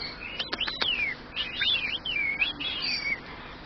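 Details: Pet male superb parrot whistling between its mimicked phrases: a few sharp clicks, then a wavering, looping whistle that rises and falls several times over about two seconds.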